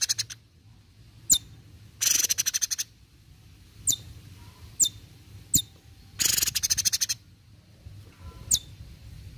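A songbird gives sharp, high chips between rapid buzzy rattling bursts about a second long, repeated every few seconds, with a faint low hum underneath.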